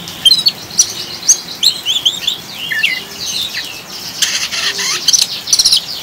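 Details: Oriental magpie-robin ngriwik chattering, mixed with rain sounds as a lure to settle caged birds: quick high squeaky slurred notes and scratchy bursts above constant rain hiss.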